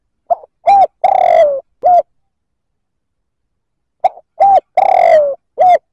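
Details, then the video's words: Provocative coo of a spotted dove aimed at other males, two identical phrases each of a faint lead-in, a clear coo, a long quavering descending note and a brief closing coo, separated by silence. "Tiếng chim cu gáy kích bổi chuẩn"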